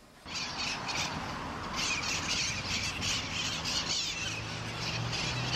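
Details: An urban flock of mitred conures in Long Beach, California, gives harsh, raspy squawks that overlap continuously in quick, irregular bursts, over a low hum of distant traffic.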